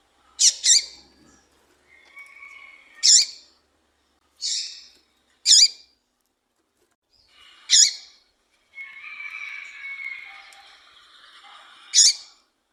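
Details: Female double-collared seedeater (Sporophila caerulescens) call, used to stimulate males: sharp, high, piercing call notes about every one to two seconds, with soft twittering between them.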